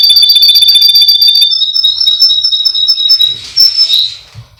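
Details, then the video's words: Russian canary, male, from a breeder in Miami, Florida, recorded as training song: a rapid rolling trill that flows into a steady pure whistle, ending in a brief burst of quick high notes. "Canary Singing Birds sounds | Melodies Russian Canary Bird Sounds"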